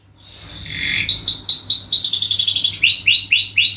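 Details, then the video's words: Domestic canary in long, continuous song used as a lure to draw out other birds: a rising intro swells into rapid series of buzzy, downswept high notes, about four a second, then lower rolling trills over a faint low hum. "masteran burung kenari gacor panjang untuk pancingan"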